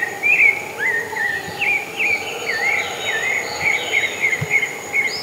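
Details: A pale-breasted thrush in the wild sings a lively series of slurred whistles, dipping and rising, about two per second, over a steady insect drone and hum.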